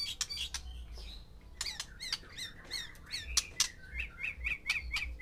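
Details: Captive white-rumped shama, one male kept with six females to stir breeding readiness: sharp clicks and short whistled notes, then a run of rapid, rising whistled phrases near the end, over low room hum.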